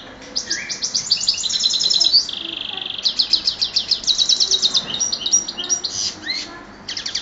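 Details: Goldfinch x canary hybrid (chardonneret x canario) from Oued Souf singing a bright, high song of fast rattling trills and buzzy notes. A long steady note sits near two seconds, and repeated chirps come in quick bursts with brief pauses between phrases.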